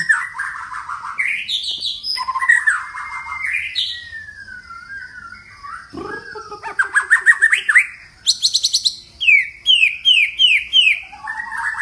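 White-rumped shama in rich, varied song: clear fluting whistles, sliding notes and quick repeated chattering phrases, changing every second or two. No other sounds.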